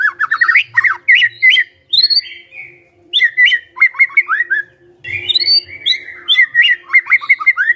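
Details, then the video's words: Magpie-robin in loud gacor song to prompt an answer: rapid repeated whistled phrases with sharp rising notes, short gaps, and a low rumble in one pause. "Cukup Hitungan DETIK Murai Nyaut Gacor Dengar Ini"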